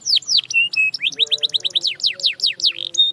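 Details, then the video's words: Canary song for training: loud descending sweeps, two short steady whistles, then a run of quick rising and falling slurred syllables, varied and lively. "From Silent to Singing! The Canary Sound That Works Wonders"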